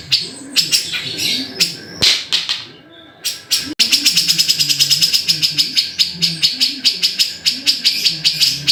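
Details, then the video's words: Black-throated bulbul singing, a dense run of rapid high chirps and twittering notes repeated more than twice a second, with a short quieter pause near the middle and faint low background sounds. "BURUNG CUCAK JENGGOT"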